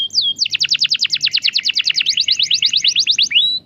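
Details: Canary song meant to trigger a non-singing canary: one long, even roll of rapid high down-slurred notes, about seven per second, framed by short whistled slurs at start and end.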